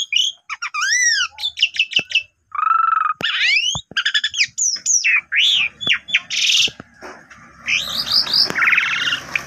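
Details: Energetic song of an Asian pied starling, meant as a lure for less active starlings. Arched whistles and squawky, harsh notes mix with rapid chatter and buzzy bursts, with faint low background noise.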